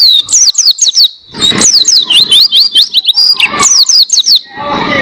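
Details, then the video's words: Oriental white-eye used for tutoring cage birds, delivering a rapid chatter of high clear whistled notes that swoop down and up, in short bursts with brief pauses, followed by a softer noisy ending. "Masteran Pleci Gacor Buka Paruh Durasi Panjang Suara Jernih"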